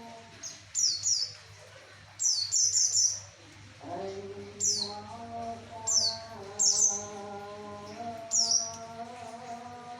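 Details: Javan white-eye singing to draw in males: bursts of rapid, high, downward-sweeping chirps in clusters of two to four, repeated through the recording. A steady droning hum with layered low tones runs underneath.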